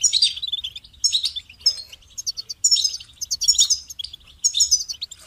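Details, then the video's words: Goldfinch song in lively bursts: high, slightly buzzy twitters and sharp tinkling notes, roughly one burst per second, with short quiet gaps between. "Amplifying the Goldfinch's Voice"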